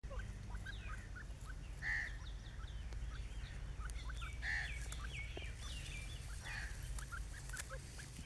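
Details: A pair of Grey francolins in grass trade short, squeaky clucking notes at an irregular pace, with two louder ringing calls standing out, over a heavy low rumble of wind or traffic.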